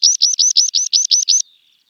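A meadow pipit gives a quick run of nine thin, high, upslurred notes, evenly spaced about six per second, ending abruptly.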